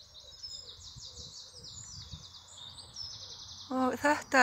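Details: Birds singing in spring in England: rapid, buzzy high trills repeat in a continuous chorus before a person's voice cuts in loudly at the end.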